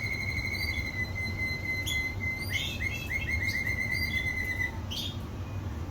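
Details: Canary singing: a thin high held note, then a quick run of bright, evenly repeated chirps forming a rolling trill, with a few sharp high notes, over a low steady background hum.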